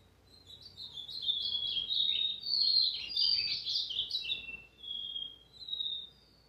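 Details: Brown-plumaged azulão showing off its song: a rich, fast warble of sliding whistled notes building in volume, then two separate long clear whistles trailing off; light background hum.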